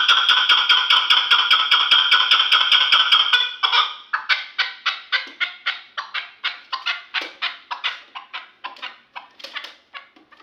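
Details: Hunting chukar partridge from Kulob, Tajikistan, a three-year-old decoy bird. Sharp, dry chuk notes repeat rapidly and evenly, about two to three per second, at first fused into a dense rattling run, then spaced into separate clipped bursts.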